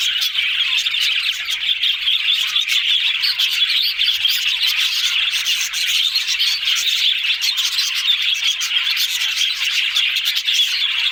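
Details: Budgerigar flock produces nonstop bright twittering, with sharp chirps layered over a constant warbling hum of many birds calling at once.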